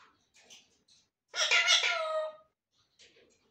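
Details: Pet talking parrots: one loud, speech-like outburst lasting about a second, harmonic with falling tones, framed by faint short chatter before and after.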